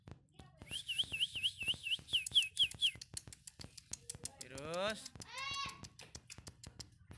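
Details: Lovebird singing vigorously in the morning: a quick run of repeated high, bouncing chirps, then harsh, raspy buzzing notes, with steady rapid clicking throughout.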